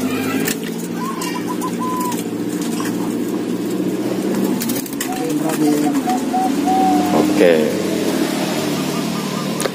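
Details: Zebra dove (perkutut) with a medium-sized voice sings a medium-pitched run of soft clipped coos and tremolo notes, with men talking throughout and background chatter.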